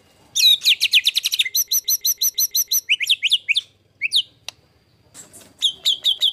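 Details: Rough 'tembakan kasar' master song of a white-rumped shama for training contest birds: a fast series of bright rising notes, a steady high repeated chatter, sharp upslurred whistles, a single click, then quick high notes again.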